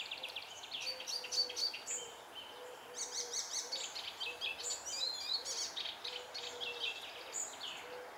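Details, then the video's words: In June 2021 an Icterine warbler pours out a fast, varied, high-pitched medley of chattering, whistled and squeaky notes without pause, over a soft, low, repeated hooting tone. "koncert zaganiacza"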